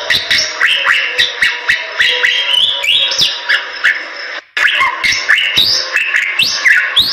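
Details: Energetic song of a Bali myna kept as tutor material: rapid rising and falling whistles with harsh clicking notes, a brief pause near the middle, then another burst of sliding whistled phrases.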